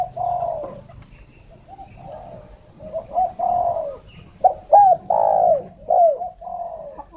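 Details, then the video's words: Spotted dove decoy calling steadily in low hollow coos, mixing short clipped notes with longer drawn ones in uneven series, a thin constant high tone running throughout. "Chim cu mồi"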